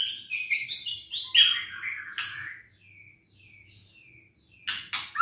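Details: Singing White-rumped shama, meant to provoke lazy birds that rarely sing: rapid chattering notes, a loud rising whistle, then soft separate whistles with a faint low hum behind.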